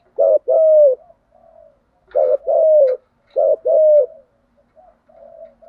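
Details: Decoy spotted dove urged to call and challenge wild birds, giving three mellow two-note coo phrases, each a brief note then a longer falling coo. Soft low murmurs fill the pauses.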